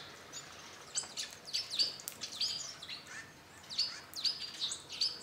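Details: Garden feeder in northern Hungary with a visiting hawfinch flock; loud, explosive high ticks and brief thin whistled notes come in quick clusters, several birds calling at once.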